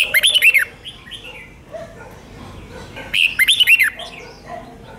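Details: Red-whiskered bulbul song in a five-syllable style with doubled phrases, from Thailand: two bursts of quick, bubbly whistled notes, rising and falling, about three seconds apart, over steady background hiss and faint other birds.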